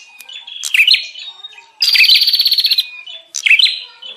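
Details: Short, scattered bursts of harsh bar-winged prinia chatter, the loudest a strong buzzing rattle in the middle, with quieter thin notes between; used as a lure for wild prinias.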